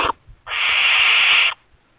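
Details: Inside a kestrel nest box, a young barn owl fed mice by its parents gives one steady, rasping hiss lasting about a second, followed by quiet.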